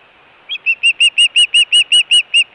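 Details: Nest-camera osprey at Hellgate, Montana, calling on 24 June 2017 during food and alert calling. A short rising note opens a string of about eleven loud, sharp whistled yelps, evenly spaced and strong.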